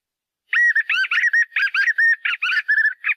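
A White-eared puffbird gives a rapid, run-on series of bright, slurred whistled notes at a steady mid-high pitch for almost three seconds, against a quiet background.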